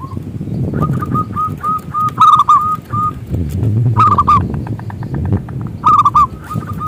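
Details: Local zebra dove used in Indonesia as a singing lure for other doves; steady runs of short cooing notes with louder doubled accents, over a noisy low rumbling background.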